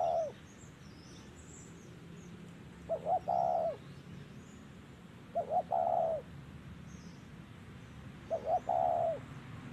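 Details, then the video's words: Spotted dove calling during trapping with a decoy, three low cooing phrases about two and a half seconds apart, each short notes into a held coo, faint high chirps of other birds. "Bẫy Chim Cu Gáy Đất Hay | Gáy Giọng Thổ Cực Hay"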